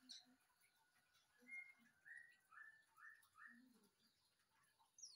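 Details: White-rumped shama song: a series of mid-pitched, slurred whistles repeated about every half second. Soft low notes and background hiss sit beneath them.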